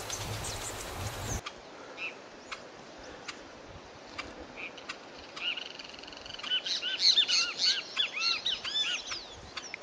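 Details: Crested oropendola. Rustling handling noise opens, then scattered faint chirps. Near the end comes a loud run of liquid, gurgling, looping notes over quiet outdoor background.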